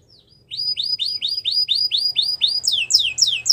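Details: A canary repeats a rising, curved whistle about four times a second, then shifts to higher, sharper descending notes. A faint low hum sits underneath.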